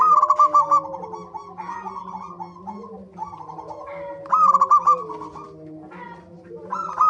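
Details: Zebra dove lure song meant to prompt other birds to sing: short rapid trills of pulsed cooing notes at the start and middle, with quieter gliding tones and a constant low hum between bursts.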